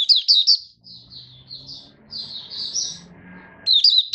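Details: Caged Malaysian Mata Puteh, the Oriental white-eye, in buka song on 1 August 2023: high twittering chirps at the start and end, softer drawn-out notes between, over low background rumble and murmuring.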